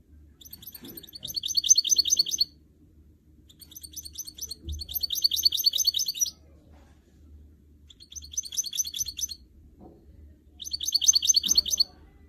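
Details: Caged canary x goldfinch hybrid (goldfinch mule) singing: bursts of high, rapid twittering and trilled phrases lasting about two seconds each, separated by short pauses, with faint low hum in the background.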